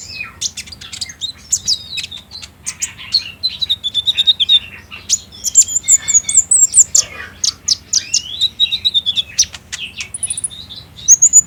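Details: Olive-backed sunbird, a spotted young captive bird, singing a lure song played by day to prompt other kept birds to answer. Phone-recorded. Fast, thin, high chirps and twittering trills, with short sliding whistles, packed densely over eleven seconds.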